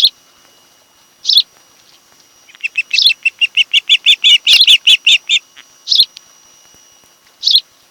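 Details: Osprey from a mated pair at a Kent Island, Maryland nest, nest camera, afternoon of 26 July 2018; a few sharp chirps, then a rapid run of about fifteen piping whistles, ending with more single chirps.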